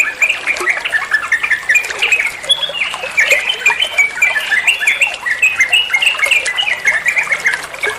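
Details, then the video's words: Trucuan bulbul chattering in a training recording for songbirds: eight seconds of dense, squeaky warbling with quick whistled slurs and sharp chips, never pausing. "Masteran trucuan muantaaap, (burung trucuan anda pasti nyaut)"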